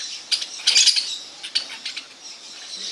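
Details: A brief burst of harsh parakeet screeching near the start, followed by a few scattered, clipped squawks and a low hum of distant flock chatter.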